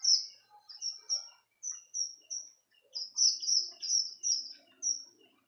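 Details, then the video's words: Strawberry finch singing as a tutor bird: high bright notes repeated in short spaced groups, thin and sweet, with faint lower chatter in the background. "Strobery finch burung masteran"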